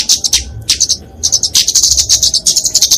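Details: Kemade fighting song of a flowerpecker, used as a lure and tutor for songbirds: high, thin chattering notes in quick series, a short pause midway, then a longer rapid trill.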